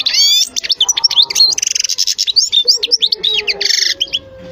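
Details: European goldfinch song, loud and continuous: a dense stream of rapid tinkling twitters, buzzy trills and slurred whistles with hardly a pause.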